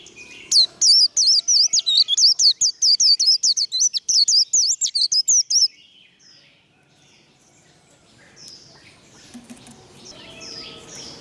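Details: Warbling white-eye performing 'líu' competition song, a training bird roused to fight. A long rapid chain of shrill looped whistles lasts about five seconds, followed by quiet with faint distant bird chatter.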